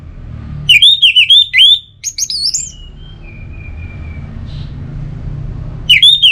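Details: Orange-headed thrush in a relaxed singing mood: a quick burst of repeated looping whistles, then softer chattering notes and a thin drawn-out whistle fading away, before a new loud phrase begins. Low background rumble.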